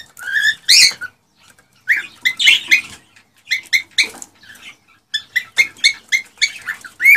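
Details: Excited male cockatiel song used to prompt breeding in a female. Scattered short chirps and squeaky notes come in irregular clusters, with brief silent pauses and some faint clicking in between.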